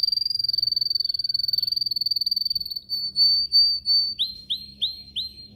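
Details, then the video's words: Caged canary in training song: a long, very fast buzzy trill at one pitch, slower repeated whistles, then four loud upswept chirps spaced evenly. "Canary singing training"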